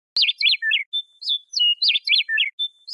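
A Western Meadowlark sings a rich, flute-like phrase of quick downslurred whistles ending in a gurgle. It sings the phrase twice with no other sounds.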